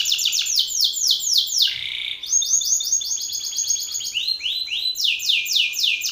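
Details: Aggressive Belgian canary male singing hard toward a rival male, calling out an opponent: long rolling trills of rapid descending whistles, a brief lower buzzy slide midway, then higher quick rolls.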